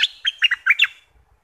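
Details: Brief bulbul phrase from southern Thailand, used to excite birds for trapping: a sharp opening note, then several fast, bubbly chirps over about one second, followed by quiet.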